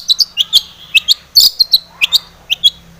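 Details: Lure recording of a long-tailed shrike in full, lively song: sharp, high, clipped chirps, often paired, spaced irregularly across a quiet background, with one brief rasping burst midway.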